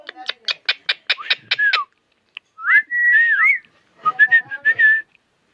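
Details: Konkan village parrot, more than 25 years old, gives a rapid series of about nine clicking, chattering notes, then whistled, wavering speech-like phrases and a final run of short tonal syllables.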